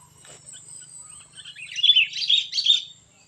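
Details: Sooty-headed bulbul singing in the 'cengkram' style, described as super fierce: soft scattered chirps building into a loud, rapid burst of bubbling warbled notes, over a faint low hum.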